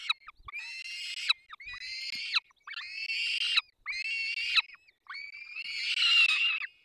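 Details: Peregrine falcon chicks begging at the nest as both adults feed them, Barycz Valley, 3 May 2024: five clear, wailing, harmonic cries, each held about a second and dropping at the end, in a quiet setting.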